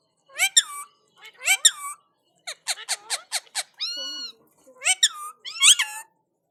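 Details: A talking Indian ringneck parakeet answers another parrot with short bursts of nasal, word-like phrases, a quick run of clipped syllables, then a drawn-out wavering note.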